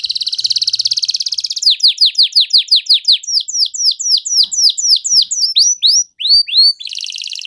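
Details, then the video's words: Canary song to provoke silent canaries into singing: a rapid trill followed by a long run of loud downward-slurred notes repeated several times a second, ending with another trill. "burung kenari gacor Cuit-Cuit EMOSI - Ampuh untuk Pancingan semua kenari macet"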